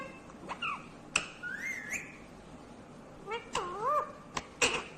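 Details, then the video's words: Green Indian ringneck parakeet talking: brief whistled glides, a rising whistled phrase, then wavy speech-like syllables near the end, with scattered sharp clicks. "Natural Sound of Talking Ringneck green parrot"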